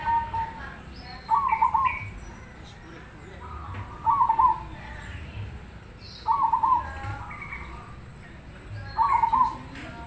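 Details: Black cemani zebra dove singing: a soft introductory note then a quick bubbling trilled coo, repeated about every two and a half seconds, four phrases in all, over low steady background noise.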